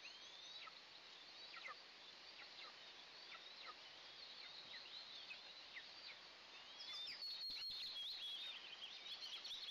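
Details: Two Eastern imperial eagle eaglets (Aquila heliaca) being fed their first breakfast of the day in the nest, June 29, 2024. Rapid high chirps and down-slurred whistles, more than two a second, growing louder and denser in the final seconds over hiss.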